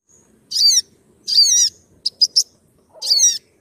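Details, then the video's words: Sogon (olive-backed sunbird, locally sriganti), its sharp voice used to tutor, lure and treat songbirds: three high buzzy chattering bursts with falling slurs, plus a quick run of three sharp chips between them. "Masteran burung sogon gacor - klewer suara pikat dan trapi burung bahan skaligus trapy burung macet"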